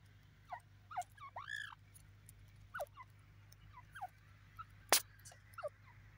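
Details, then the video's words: A francolin (partridge, teetar) gives soft, squeaky down-slurred whistles, single or in pairs, about one a second, over a low hum with one sharp click. "partridge teeter sound"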